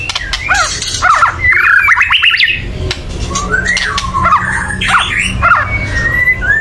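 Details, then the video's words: Loud chattering of a white-rumped shama meant to provoke birds to sing: rapid bursts of harsh, buzzy notes alternate with short whistled slurs, repeated across several seconds over a faint low hum. "kretekan keras murai / menaikan emosi agar bunyi"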